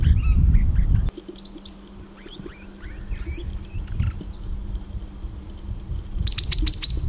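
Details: Swift parrot producing scattered squeaky chips and twittering notes, ending with a loud burst of high, sharp, piping calls repeated in quick succession; low background rumble at the start.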